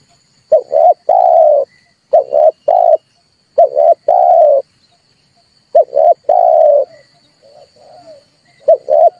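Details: Repeated low coos of a red collared dove, played to provoke birds and lure them to traps: each phrase a clipped double note followed by a sustained note, several phrases with a soft trailing fragment and a constant faint high tone.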